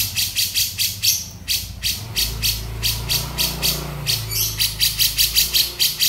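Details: Male grey-cheeked bulbul in 'beset' style: rapid rattling rasps about three per second, a low steady hum underneath in the background.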